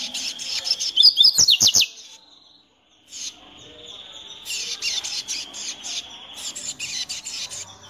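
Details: A male hybrid songbird singing excitedly on seeing a loose female: fast, high twittering with bright trills and rapid chips, then longer sustained warbling phrases after a short pause, with a few sharp clicks.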